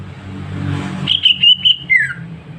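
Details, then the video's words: Greater green leafbird kept at home giving a clear song phrase: four short bright whistled notes, then a downward-sliding whistle, with a constant low hum behind. "Cucak ijo sehat, suara jernih"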